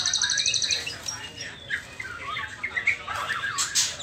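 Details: White-rumped shama youngster in the trotol stage, before the pastol moult. It begins with a rapid high rattle, then shifts to rambling warbled whistles and slurs, ending in a loud harsh burst.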